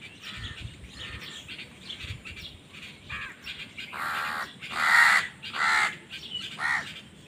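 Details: Crows, said to be fighting for food. Harsh, rough caws: faint, scattered calls in the first four seconds, then four loud, drawn-out caws between four and seven seconds, with a low hum beneath.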